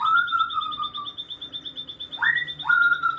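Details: Afternoon bird sounds: clear, slightly falling whistled notes, then two sharp rising whistles after a pause, over a continuous high pulsing trill in the background.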